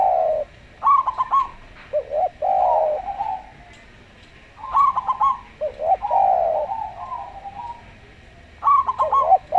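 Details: Local zebra dove in a slow, calm singing style, used to prompt other doves to sing, alongside a Javan derkuku dove: bursts of choppy, rippling coos alternate with longer, smoother lower cooing phrases, separated by quiet gaps of a few seconds.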